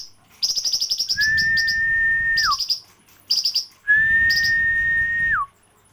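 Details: Flamboyan song used as training song for other birds: quick runs of high, sharp chirps alternate with long, level whistles that hold over a second, then slur downward, with faint low background rumble.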